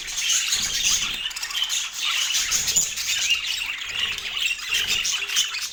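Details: Autumn morning meal of pet parakeets: continuous shrill chattering and squawking notes, with a few soft low knocks beneath the calls.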